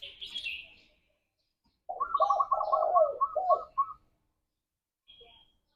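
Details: Spotted dove cooing in a morning lure meant to bring birds into breeding mood: quieter, blurred coos beneath a fast, rattling run of higher notes from another bird, preceded by a high chirp.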